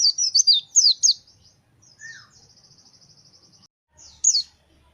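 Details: Fighter-type pleci (white-eye) singing gacor: several sharp, high, falling chirps, a short lower slurred note, then a long even rattling trill of tiny identical ticks, ending with one more loud chirp.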